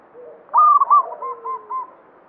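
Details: Banyumili-type local zebra dove in vigorous song: one loud cooing phrase of rapid bubbling pulses, then softer repeated coos trailing away, with faint low background murmur.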